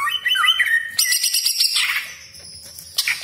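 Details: Cucak ijo (Greater green leafbird) 'besetan kasar' harsh phrase: a few wavering whistles, then a long grating buzzy rattle that fades, ending with a short sharp note.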